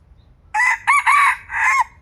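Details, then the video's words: Crow of a young red junglefowl cockerel used as a decoy: a loud, rough, broken call of four syllables, the last drawn out and dropping in pitch, over a low background rumble. "หมายไก่หนุ่มขึ้นใหม่ วัยกำลังห้าวเลยครับ"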